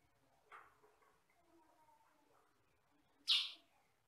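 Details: A sutra-type sooty-headed bulbul with yellow and black feathers, known for a loud one- or two-tone voice: a soft short note, then a single loud, harsh, buzzy chirp near the end.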